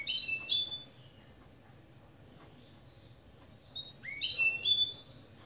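Goldfinch × canary mule singing two bright bursts of fast, liquid twitters and trills, separated by a pause of about three seconds.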